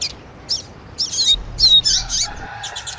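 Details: Double-collared seedeater singing in the tui tui style alongside a female's calls, used to fire up a kept seedeater; bursts of high, buzzy chirps and sharp downslurred whistles come in irregular clusters over a quiet low hum.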